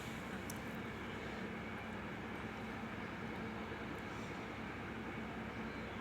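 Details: Only an even, quiet background hiss and hum with a few faint clicks, with no animal voice present.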